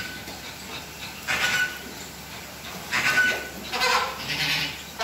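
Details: Courtship dancing by a flock of Chilean flamingos kept at WWT Slimbridge, the birds marching as a group. Rough honks come in three separated bursts over a few seconds, with quieter gaps of low murmuring between them.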